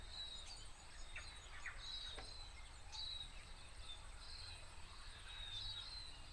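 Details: A tomtit (miromiro) in late autumn in the Maungakotukutuku Valley, New Zealand, gives thin, high whistled notes, short and spaced about a second apart, over a steady insect hum and low background rumble.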